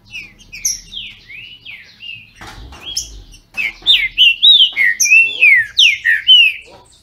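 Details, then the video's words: Green-winged saltators (trinca-ferro), captive birds in Brazil, dueling in song. Soft whistles open, then a loud, rapid run of clear slurred notes, each rising then dropping, repeated several times a second. "Trinca ferro disputando!!!"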